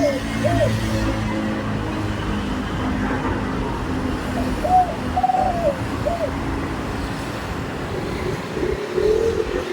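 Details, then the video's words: Sweet, medium-pitched 'khan yon' cooing from a spotted dove with a single 'kuk' note: one clear phrase of soft hollow hoots in the middle, set against a steady low background rumble. "นกเขาใหญ่ เสียงกลาง ขันโยน ช่องไฟสวยๆ"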